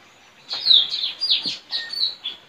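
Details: Caged decoy Straw-headed bulbul trained to call in wild birds, recorded in a village front yard on 4 April 2021 during a singing contest with a neighbour's bird; high chirped and whistled phrases, several short rising and falling notes.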